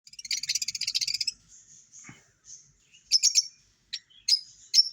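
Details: Lovebirds open with a second of rapid, buzzy, high chattering, followed by soft short chirps and a few sharp squeaks spaced apart.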